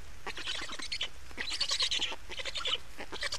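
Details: Black storks in Estonia at the nest during changeover and feeding, 28 May 2019, 15:51: stuttering, harsh pulsed calls that swell in the middle and break off briefly twice.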